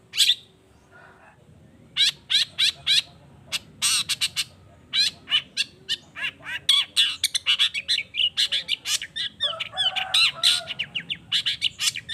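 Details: Long-tailed shrike singing to provoke other shrikes to respond: after a quiet start, a long, accelerating stream of sharp clicking chips and scratchy notes, growing denser and more chattering toward the end.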